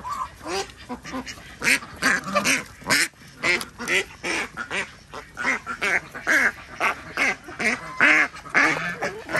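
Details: Ducks on an organic village farm in Andhra Pradesh, India, calling at feeding time: loud, nasal quacks repeated roughly twice per second in uneven bursts, several birds overlapping, with rich harmonic tone.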